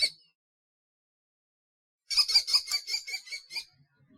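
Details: Common kestrel giving a quick series of about nine sharp, high, ringing 'kee' notes, evenly spaced and slightly fading, after a short silence with a brief note at the start.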